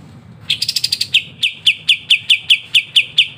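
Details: Kapas tembak in lively song used for tutoring songbirds: a quick burst of rapid, buzzy high notes, then a steady series of sharp, downslurred chips about two per second.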